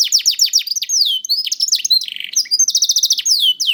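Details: High canary song from a young bird, used as a prompt for canaries slow to sing: fast falling whistles, a drawn-out downward slur, a short buzzy rattle and quick repeated chips.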